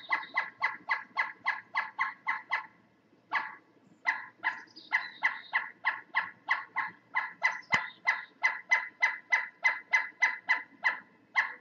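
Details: Pileated woodpecker (Dryocopus pileatus) giving a long run of loud, ringing, honk-like notes, three to four per second, with a brief pause; two birds heard near a woodshed, one possibly drumming on it, though no drumming is heard here.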